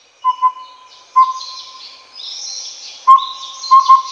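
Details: Collared owlet (pardalotum race) in Taiwan calling with mellow whistled hoots in a paired pattern, first two close notes, a lone toot, then a double toot. Busy high-pitched insect or bird buzzing fills the background.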